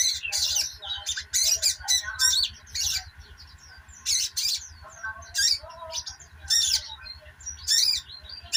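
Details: Sogon sunbird chattering, loud high bursts of sharp twittering notes in clusters separated by brief pauses, with thin downslurred squeaks between; a steady hum and low pulsing machine noise run underneath.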